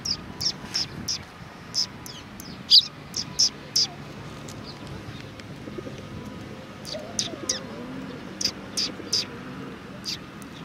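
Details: Sparrows on 10 March 2019 trade quick, high chirps in loose clusters, pausing mid-way before resuming, over a soft background hum.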